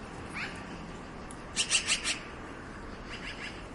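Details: Black-billed magpie giving a short burst of four harsh, rasping chatter notes in quick succession, with fainter scratchy notes before and after against a steady background hiss.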